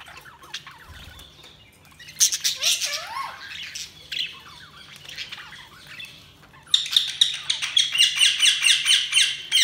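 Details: Budgerigars chirping: warbling, varied chatter of rising and falling whistles and squawks, building into a fast, dense run of rhythmic high chirps repeated several times a second in the last three seconds.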